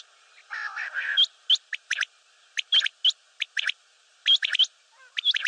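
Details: Common quail, known locally as batair, giving sharp, high, liquid notes in short clusters after an opening burst of low, nasal, buzzy sound. Notes come irregularly in pairs and triplets, with no other clear sounds.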